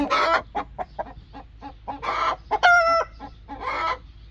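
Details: Angry broody hen: short, harsh clucks in a rapid run, broken by loud rasping squawks and one drawn-out, tonal protesting cry.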